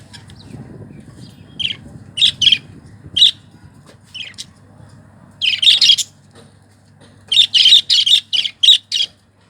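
Budgerigars give bright, scratchy chirps in quick bursts with short pauses between.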